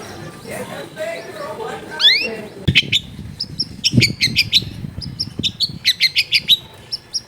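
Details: Long-tailed shrike voice from a crowded residential setting, played to prompt a quiet bird: soft murmured notes, then rising whistled sweeps and quick runs of sharp chips in short groups, with faint background noise.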